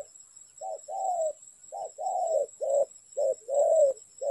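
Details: Spotted dove calling during bird trapping, repeated two-part cooing phrases, each a short low coo followed by a longer, slightly falling croon, about four phrases in quick succession, with a faint steady high whine in the background.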